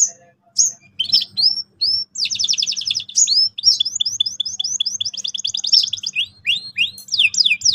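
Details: Caged canary singing in Indonesian training style meant to prompt young birds to roll sharply: rapid trills of high sweeping notes, looping downward slurs and repeated buzzy phrases, near-continuous with brief pauses.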